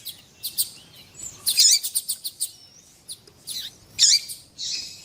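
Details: Double-collared seedeater male and calling female, kept birds, female calling to warm up the male: scattered sharp high chirps and buzzy notes in irregular bursts, without a whistled phrase.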